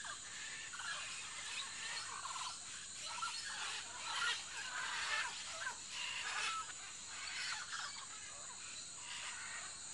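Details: Scarlet macaws kept with other exotic parrots, giving harsh, raspy broadband squawks in irregular bursts about once a second, some louder peaks near the middle, over a constant high-pitched hiss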